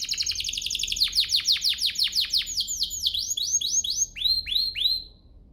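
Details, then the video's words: Canary singing to entice other canaries to sing: a dense fast trill that slows into sweeping down-slurred notes, ending with a few rising whistled notes before silence. "Pancingan ini EFEKTIF BANGET, burung kenari lain langsung terpancing untuk GACOR"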